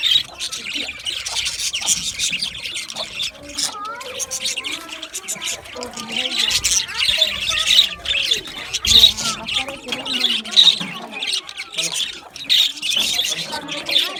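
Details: Budgerigars chirping in an aviary over a longer stretch, high scratchy chatter with scattered clear whistled notes and short squawks, loudness swelling and dipping as many birds call together.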